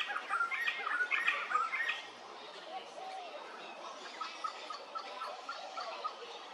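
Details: Little friarbird calling at Hervey Bay, Queensland, a rapid run of loud, raspy, chattering notes for about two seconds, followed by softer scattered notes amid a dense chorus of other birds.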